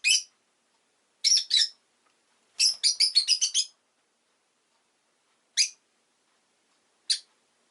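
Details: Rosy-faced lovebird kept as a pet, giving sharp harsh chirps: a lone note, a pair, then a rapid burst of about eight, followed by two spaced single chirps; no other sounds.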